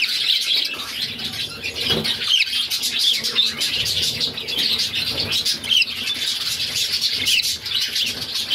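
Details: Mother budgerigar feeding her six pet chicks; their begging forms a continuous high, grating chatter, with scattered short chirps and a faint low knock.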